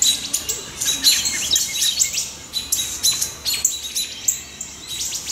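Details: Mobbing alarm calls of a wood thrush and other birds at a perched great horned owlet close to their nests, July 2019; rapid, sharp high-pitched chips in uneven clusters, several birds calling at once.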